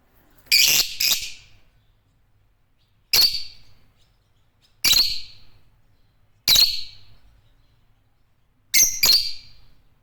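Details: Chirping of African lovebirds (Agapornis): a string of piercing, high, abrupt calls, some given as quick doubled notes, spaced every one to two seconds over a quiet background.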